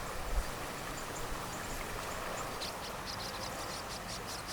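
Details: Zitting Cisticola singing in grassland at the Siheung tidal creek, a former salt pan in Siheung, South Korea, during nesting with newly hatched chicks: a run of sharp, high 'zit' notes, about three a second, over steady background hiss.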